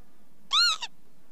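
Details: Northern lapwing giving a single loud call, a slurred, arching note rich in harmonics, followed by a short clipped second note, against a quiet background.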